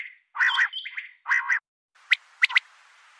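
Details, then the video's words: A female common quail calls, recorded for quail hunting: three harsh, raspy bursts in quick succession, then a few sharp, clipped chirps over a faint hiss. "Common quail Calling | Female Quail sounds"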